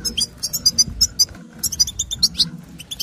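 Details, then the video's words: European goldfinch twittering, a female's calls played to prompt caged males to sing: dense run of very high, quick chirps and trills, with a low hum below. "بتبتة أنثى الحسون"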